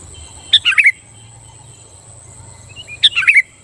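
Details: Sooty-headed bulbul song intended to make rival bulbuls sing back: two bubbly phrases of rapid, warbling whistled notes about two and a half seconds apart, above a steady faint high hiss.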